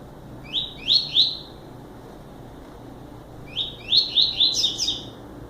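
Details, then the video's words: Double-collared seedeater gives a brief three-note start, then after a pause a fuller short song of rapid, sweeping high whistles that turns buzzier toward its close. "Coleiro Máquina"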